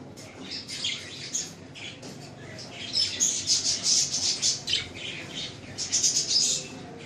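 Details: Pet budgerigars, called Australian parrots, in Lahore, Pakistan: a busy stream of shrill squawks and twitters, building to a dense, loud run of rapid chirps midway and another at the end.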